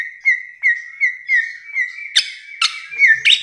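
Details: Bare-throated whistler song: a steady series of short, clear whistles repeated about every third of a second, then sharp clicking accents and a final rising whistle.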